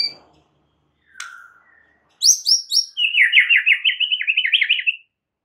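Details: Murai batu, the White-rumped shama, gives a few isolated chips, then three high, sharply falling notes, followed by a fast, buzzy, rolling trill lasting about two seconds.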